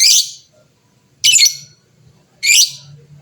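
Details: Lovebird of the fighter type in lively, vigorous voice, used to provoke rival birds into answering; three harsh, shrill, raspy bursts about 1.2 seconds apart, each quickly fading, with a faint low hum underneath.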